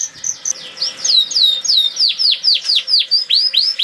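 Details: Canary singing 'nembak', a lure to make reluctant canaries sing: bright down-slurred whistles repeated roughly three times a second in a steady, even series.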